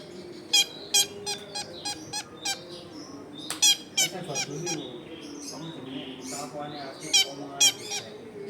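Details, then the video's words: Long-tailed shrike song used as a lure for catching wild shrikes, recorded at a house in a crowded neighbourhood; loud harsh rasping notes repeated in irregular bursts, with softer chatter and household noise between. "SUARA CENDET GACOR AMPUH BUAT PANCINGAN CENDET BAKALAN"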